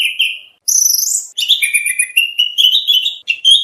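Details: Kacer, or oriental magpie-robin, singing training material for song contests: varied clear whistles at high and middle pitch, linked by short gaps into a rich, changing phrase.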